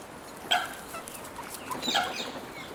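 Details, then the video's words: Seagulls competing fiercely for food handed out by a person; two short harsh calls near the start and middle, with fainter squeals in between. "Seagulls fighting over food, Seagulls calling"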